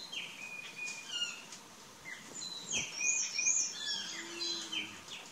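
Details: Plush-crested jay in its courtship phase: a busy run of short chirps and downward-sliding whistled notes, several overlapping, about two or three per second with irregular spacing.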